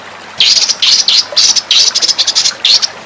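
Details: White-rumped shama song for a training master: a few short, buzzy, high phrases with quick chattering notes, spaced irregularly across three seconds.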